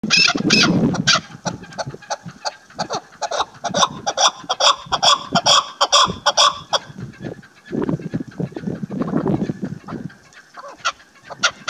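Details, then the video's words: Chukar partridge calls during the hunting season, a female bird referred to: rapid, harsh repeated chuck notes, about two per second, with broadband clicking pulses, plus low rumbling handling noise at start and near the end. "keklik sesi Partridge birds hunting season vlog ||dasi female chakor"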